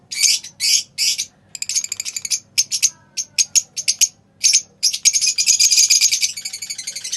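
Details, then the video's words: Pale fallow lovebirds chirping: clusters of harsh, high, rattling notes in uneven bursts that merge into a steady rapid chatter at the end. "Singing and Chirping Sounds of lovebirds"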